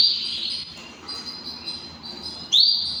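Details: Hand-tamed canaries: a sustained high ringing tone fades into soft, scattered twitters, then a sharp rising chirp bursts in loudly and trails off into a steady high note, over faint low hum.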